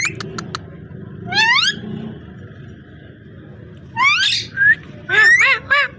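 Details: Ringneck parrot making a few clicks, then long rising raspy squawks and a wavering chattering run of harsh notes; low rumbling background noise.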